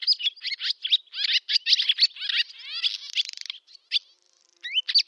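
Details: Barn swallow summer song from Novgorod oblast, Russia, 8 August 2013: dense rapid twittering chatter with scratchy notes, a dry buzzy rattle near the middle, a short pause, then rising whistled slurs.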